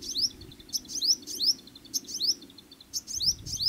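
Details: A little shining sunbird sings in jungle: thin, very high notes, quick upward-sweeping chips repeated about every half second, over a soft low background rumble.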